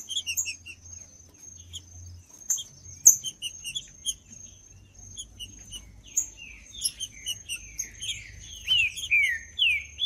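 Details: Green-winged saltator song of the Judas style, recorded to warm up cold birds: loud slurred whistled phrases falling in pitch, thickening in the second half, over steady high-pitched chirping from other small birds and a constant thin high tone.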